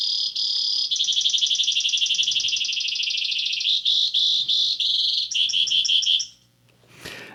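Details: Long, canary-like Brewer's Sparrow song: extended high buzzy trills changing speed and pitch, then a run of evenly spaced sharp notes, ending after a brief pause with one short burst.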